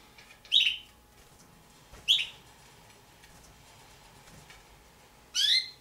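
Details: Two juvenile Damara red-billed hornbills kept as pets: three short, high squeaky notes with a downward slur, spaced irregularly over a few seconds, against a quiet background with a faint steady hum.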